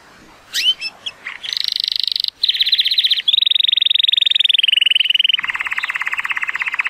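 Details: Timbrado Español canary, a male born in 2018 and rated 83 points, singing powerfully on a sunny day: opening sharp chips, then long rapid metallic trills and rolls, each held for about a second before shifting pitch, steadily repeated.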